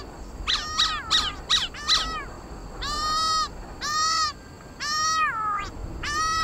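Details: Black-throated laughingthrush in competitive song: four quick rasping notes, then long drawn-out nasal, buzzy calls, each held almost a second, one dropping in pitch at its end.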